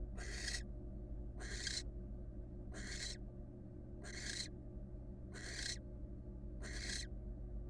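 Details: Wild barn owl, a female, inside a nest box standing on one leg; six noisy, hoarse hissing screeches repeated roughly every 1.2 seconds above a low droning hum.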